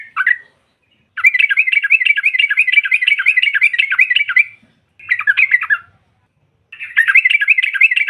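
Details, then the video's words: Sooty-headed bulbul (trucukan) female, used to make rival birds answer: long bursts of fast, dense, rattling chatter, broken by short silences, each burst several seconds of rapid repeated notes. "SEKALI PUTAR SEMUA TRUCUKAN NYAUT NGROPEL Seketika"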